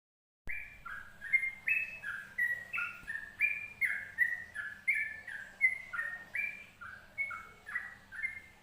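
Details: Yellow-vented bulbul song used as a training recording: a bubbly run of short whistled notes, stepping between low and high pitch, about eighty notes a minute, delivered steadily with a faint low hum beneath.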